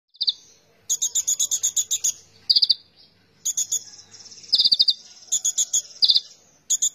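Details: Oriental magpie-robin singing persistently: bursts of rapid, buzzy, stuttering high notes in trains of about eight pulses, alternating with short, strong whistled phrases, with brief pauses between.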